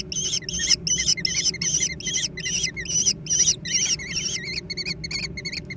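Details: Young American kestrels scrambling for food, loud piercing squeals with a wavering quaver, repeated rhythmically about two and a half times per second, later turning to shorter clipped notes.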